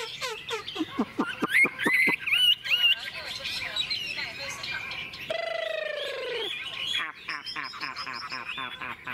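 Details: Caged Chinese hwamei in morning sun after a feed of fresh food, singing fast varied whistles and downward-sweeping notes, interrupted midway by a lower, drawn-out falling sound, then resuming with rapid repeated phrases.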